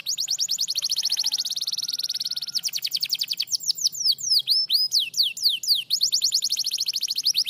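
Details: Canary responding to a lure recording with rapid trills of repeated high notes, then a varied run of downslurred whistles before returning to a fast, even roll.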